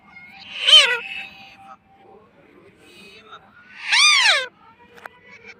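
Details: Talking pet parrot, said to be saying "mummy": two loud, arched, strained harmonic utterances about three seconds apart, with faint thin whistles between them.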